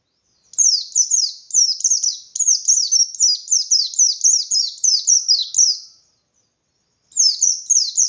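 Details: Indonesian white-eye in full ngalas song to stir up other white-eyes: a long, even train of quick, high, falling chirps lasting over five seconds, a pause, then the series resumes.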